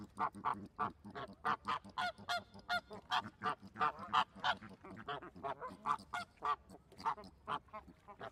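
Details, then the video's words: Flamingos give distinct, nasal, goose-like honks, about three each second in an irregular rhythm, with quieter birds murmuring behind the louder calls. "Flamingo Sounds | What does a flamingo sound like"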